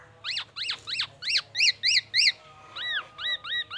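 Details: Black-naped oriole song with borrowed oriental magpie-robin and ambulance siren material: loud, clipped, ringing whistled notes in quick sets of three, then a pause and arched, slurred whistles repeated about three per second.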